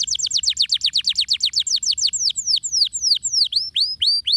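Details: Canary (kenari) song played as a lure to coax other canaries into ngeriwik and ngeroll singing: a fast run of high, sharply falling notes about four per second, slowing into wider swooping whistled notes.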